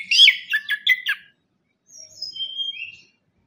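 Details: Orange-headed thrush singing vigorously as a lure for reluctant singers: a loud run of rapid, chopped warbling notes, then after a gap a few thin, quieter drawn-out whistles.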